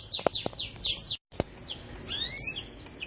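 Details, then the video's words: Canary in full, energetic gacor singing: sharp downslurred high chirps, a brief silence, then rising and falling whistled sweeps with a few dry clicks. "Kicau Burung Kenari Gacor"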